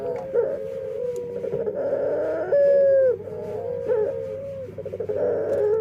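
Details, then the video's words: Burung puter dove singing in an unusual, possibly defective voice: a sustained buzzy tone that swells, then a smooth held note falling away at its end, followed by more wavering tones. "Suara Unik Burung Puter // Unique Sound Singing of dove"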